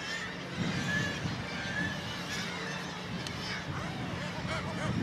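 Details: Black-legged kittiwakes at an inland colony on the Baltic Mill building, Gateshead on the Tyne; a dense chorus of nasal, honking calls overlapping without pause, with higher, sharper notes rising above the steady colony din.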